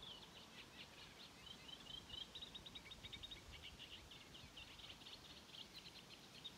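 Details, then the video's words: Sedge warbler singing at Mingen, Njurunda, on 12 June 2023: a dense, fast, scratchy chatter of buzzy and whistled notes, continuous for the whole stretch, with rapid trills and varied repeated phrases. "Sävsångare spel/sång"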